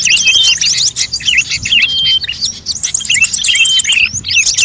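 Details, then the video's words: Bird-attracting lure mix of many species: bursts of sharp high chirps and fast trills in short phrases with small gaps, and some clear whistled notes. "suara pikat semua burung terbaru"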